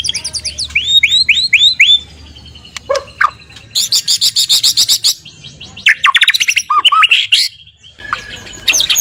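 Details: White-rumped shama song used as a morning lure to prompt other shamas to sing: rich, varied phrases of rising and falling whistled slurs, rapid buzzy chattering bursts and quick repeated notes, loud and close over a faint low background hum.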